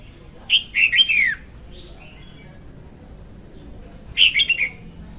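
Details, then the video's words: Female red-whiskered bulbul, 2021 trapping-lure recording: a rippling phrase of liquid whistles falling in pitch, a soft trailing note, then a second similar phrase about three and a half seconds later. "Tiếng chim chào mào hót Ko Tạp Âm dùng đi bẫy 2021"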